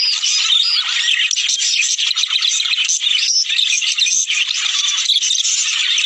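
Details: Budgerigars, a sound meant to stimulate males and females to mate: dense, continuous high warbling and chattering from many birds, with scratchy trills and squeaks overlapping without pause.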